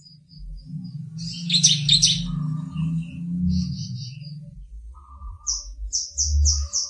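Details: Wild-caught bar-winged prinia, now kept and starting to sing loudly with only a few variations yet; loud, sharp, high chirping bursts, then a run of five quick, piercing notes near the end, over a low background hum.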